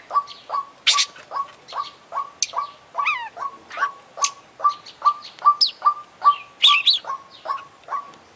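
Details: Oriental magpie-robin champion singing tirelessly with imitations: an even series of mid-pitch chips about two and a half per second runs throughout, overlaid with high twitters, a quick descending trill and sharp squeaks.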